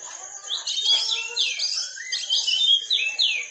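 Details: Dense, quieter run of Oriental magpie-robin 'tembakan rapat' song used to train caged birds: overlapping high swooping whistles and slurred phrases pouring out almost without pause over a faint low hum.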